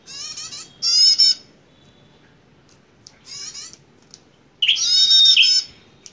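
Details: Bar-winged prinia, a fighting bird, sings harsh buzzy rattles, then after a quiet gap a faint brief phrase, ending with a long loud burst of buzzy trills and sliding whistles.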